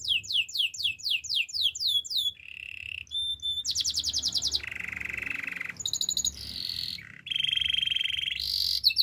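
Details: Canary song with rapid downward-sweeping whistles, followed by alternating buzzy rolls and pulsed trills at different pitches, each held for one to two seconds.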